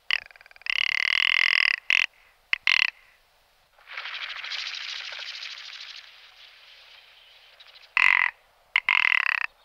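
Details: Rock ptarmigan giving loud, drawn-out grating croaks and short rasps, with a stretch of breathy hiss and softer rattling between the calls.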